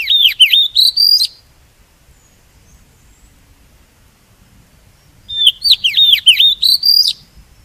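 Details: Oriental magpie-robin song used as a decoy for trapping and to encourage singing: the same rapid swooping whistled phrase heard twice, separated by about four seconds of near silence.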